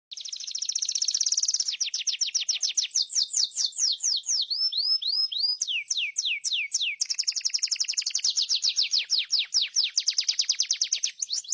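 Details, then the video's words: Atlantic canary in full song: a long, unbroken run of fast, high, bright trills. Repeated sweeping notes change speed and pitch from section to section, with some lower sliding whistles in the middle, all clean with no background noise. "Master burung kenari"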